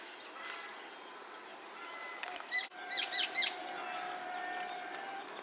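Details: A common myna in a tree gives a quick burst of sharp, clicking whistled notes in mid-clip, with thin whistles and chirps of other birds throughout.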